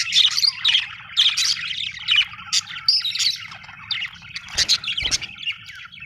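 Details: Budgies chatter in quick high chirps and squeaky warbles, several loud bursts early then softer twittering, with a couple of sharp knocks near the end.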